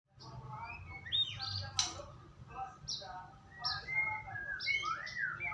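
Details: White-rumped shama song used as a lure to get another shama to sing: fairly quiet, varied whistled notes and short rising slurs scattered through the phrase, over a steady low hum.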